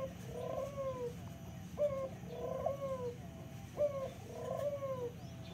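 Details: Local turtle dove repeating low, mellow coos. Each starts with a short note, then a longer note slides downward, in a quiet setting with a faint background hum.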